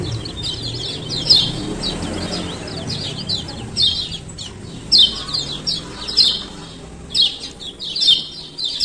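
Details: Short, sharp high chirps in separate bursts roughly every second from a male lemon-bellied white-eye, Lombok type, over a soft low murmur; played to get reluctant birds to open their beaks and call.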